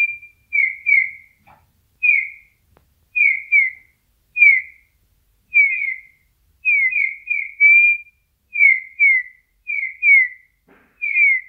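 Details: Eurasian bullfinch singing in nature: soft, clear piping whistles, each short note sliding slightly downward, given singly or in quick pairs and triplets roughly once a second over a quiet background.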